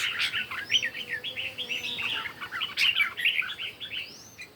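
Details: Morning contest song of red-whiskered bulbuls, a near-continuous run of lively warbled notes in rapid chains, with the occasional thin higher whistle over the top.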